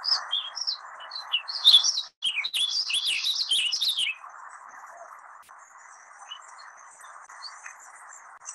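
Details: Warbling Vireo song around Taos, New Mexico, where it is the most widely heard warbling bird: a fast, rambling run of high warbled notes lasting about two and a half seconds, over a steady background hiss.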